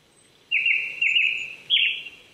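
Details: Japanese thrush singing on an April 2019 morning at 800 m in a prefectural forest in Chichibu, Saitama, Japan: three loud, clear whistled phrases with short down-slurred notes, the last one higher and richer, over a quiet background.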